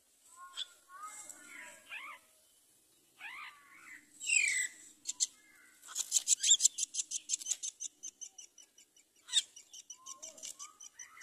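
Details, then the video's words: Common myna mother bringing rice to her chick: varied whistles and croaks, then a fast run of rasping pulses, many per second, and soft mellow notes at the end. "Mother myna brings rice to feed her baby"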